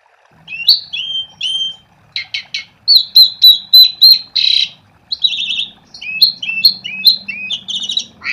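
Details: Asian pied starling in full song, meant to prompt other starlings to sing: twangy falling whistles, clipped repeated notes in quick runs and harsh buzzy blasts, phrase after phrase with little pause.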